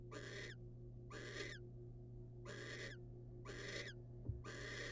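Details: Wild barn owl at a nest box as a male brings a rodent to the female: harsh, broadband hissing screeches about half a second long, repeated roughly once a second, over a steady low electrical hum.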